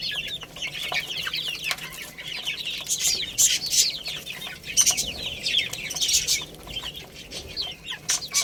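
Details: Chicks at play and eating produce constant shrill cheeping, many voices overlapping in quick falling notes, punctuated by bursts of clicks and knocks.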